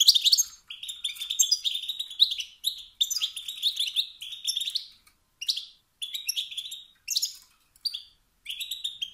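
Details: Stimulating 'stit-stit' and 'bit-bit' calls of a male wild goldfinch, meant to rouse other males' competitive urge: dense liquid twittering runs broken by short gaps, ending in scattered single chirps.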